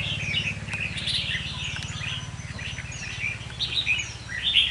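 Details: Red-whiskered bulbul held as a caged decoy, giving scattered short whistled chirps and trills, uneven in rhythm, against a constant low droning hum and light background noise.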